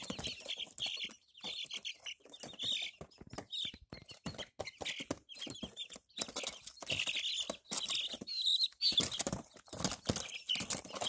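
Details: Five Barred Plymouth Rock chicks, bought in April 2024 and recorded on 13 May 2024, give high, thin repeated peeps, with steady scratching and rustling clicks throughout.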